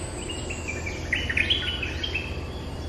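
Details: Streak-eared bulbul, the local territory holder talking back to lure calls: a fast, bubbling string of short whistled notes peaking in the middle, with steady low hum and hiss underneath.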